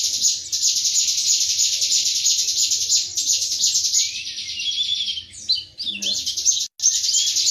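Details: Long, continuous buzzing trill from an Indonesian pleci (white-eye) singing 'tembakan materi', holding high for several seconds before breaking into sharp sweeping whistles and a short pause.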